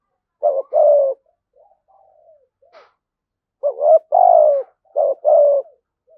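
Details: A spotted dove with thổ sấm voice coos in full phrases: hooked short notes and long hollow falling coos, with faint soft murmurs in the pause between two loud phrase groups.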